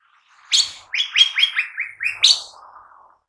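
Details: Cucak ijo mini leafbird song: a quick phrase of loud, bright whistled notes, each falling slightly, framed by sharp high accents, trailing off into faint low murmuring.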